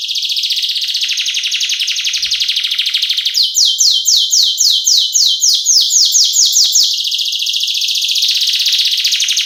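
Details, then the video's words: Canary, reportedly a female drawing out the male, singing full gacor isian song for lure and master training: a long, loud high rolling trill broken in the middle by about fifteen quick descending sweeps. "Pancingan dan masteran burung kenari gacor cengkok isian"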